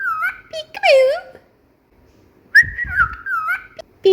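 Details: Pet cockatiel whistling indoors: a clear level whistle, then a lower swooping note with rich overtones, a silent gap of about a second, then a long steady whistle with small rising and falling bends.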